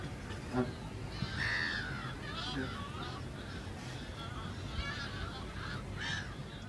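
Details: At the Albufera de Valencia, Spain, an Audouin's gull gives a few hoarse, nasal calls spaced over several seconds, against a low rumbling background with some human voices.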